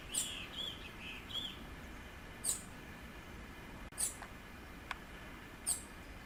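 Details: Bananaquit calling and singing in nature in Pernambuco, Brazil: a short run of thin high buzzy notes opens, followed by sharp isolated high chips spaced a second or more apart over steady background hiss.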